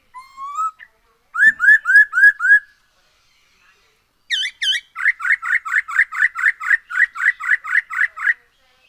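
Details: Black-throated laughingthrush song used as a lure to make other birds sing: a rising whistle, a run of five slurred whistled notes, then a fast rhythmic series of about fifteen ringing notes repeated several times per second.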